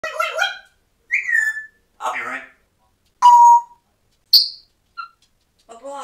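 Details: Talkative male African grey parrot, hatched in 1997 and kept as a pet in a Texas home, after slipping and apologizing: short speech-like phrases mixed with clear whistled notes, split by silent gaps, with a sharp high whistle near the end.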